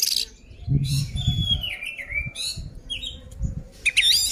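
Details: Oriental magpie-robin singing in fighting mode to provoke rivals: clear sliding whistles and falling notes alternate with harsh noisy bursts, over low thumping and rumbling background sounds.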